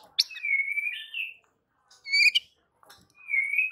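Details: White-rumped shama singing to provoke rival birds: a sharp note leading into a long level whistle, a short buzzy chirp, then another sustained whistle.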